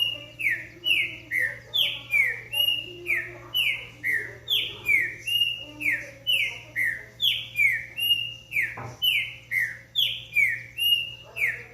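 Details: Green-winged saltator giving a long, rapid run of falling whistled notes, more than twenty in steady succession, over a constant low hum and a brief thump near the end.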